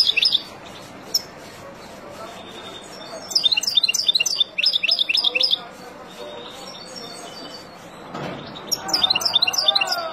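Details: Wild European goldfinch singing to teach young birds: bursts of high, tinkling twittered notes in the middle and at the end, with quieter chirps between and a low background murmur.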